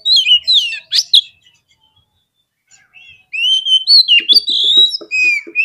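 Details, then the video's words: Song of an Oriental magpie-robin used to stir birds into fighting: sharp whistled notes and a harsh burst, a short silence, then a long flowing phrase of rising and falling whistles over soft clicking. "SEKALI PLAY KACER KALIAN PASTI LANGSUNG NGOBRA !!! KEPANCING EMOSINYA FULL FIGHTER"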